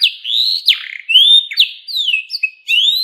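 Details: Canary in full song: long sliding whistled notes swooping up and down, interspersed with sharp falling slurs, in a smooth, continuous high-pitched stream.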